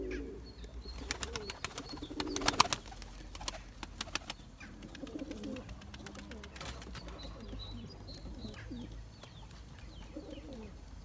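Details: Loft of Taklacı tumbler pigeons, a male pursuing his mate for eggs and young; low murmuring coos come in bursts amid loud wing claps and clattering, with distant small-bird chirps.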